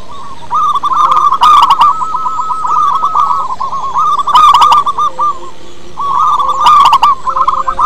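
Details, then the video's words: Local zebra dove with a big voice, singing as a lure for other doves: long runs of fast, staccato hooked cooing notes at a steady pitch, broken by short pauses and a few sharp clicking bursts. "Perkutut lokal gacor suara besar cocok untuk pancingan - PERKUTUT SUARA KUNG"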